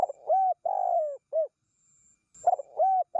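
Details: Spotted dove coos used to lure wild doves: soft, hollow, low notes, a long slurred coo between shorter ones, the phrase repeated after a brief silence, with no other sounds.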